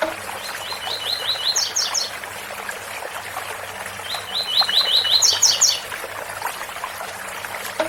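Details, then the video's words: Rusty-collared seedeater giving the tui-tui song twice, each phrase a fast series of identical slurred whistles finishing in a higher, emphatic flourish, set against steady waterfall noise. "Coleiro Tui tui bitola com som de cascata"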